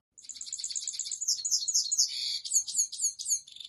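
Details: Goldfinch, locally saira, courting a female with song: quick repeated tinkling notes opening into a run of slurred, liquid twitters and short trills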